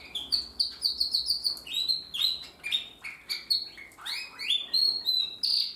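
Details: Song practice of a young Timbrado canary hatched in 2020, a varied sequence of bright chirps and short trills, some notes rising, others falling, delivered in quick pulses with brief pauses.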